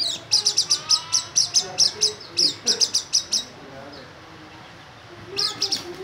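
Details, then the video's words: Oriental white-eye singing actively: a rapid run of thin, very high chirping notes, several per second, for about three seconds, a pause, then a short renewed burst, over a soft noisy background. "burung pleci gacor nembak josss"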